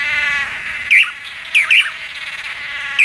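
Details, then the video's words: Red-capped manakin giving short, sharp, high chirps, four in three seconds, two close together, after a steady buzzy hum at the start. "BURUNG MANAKIN KEPALA MERAH"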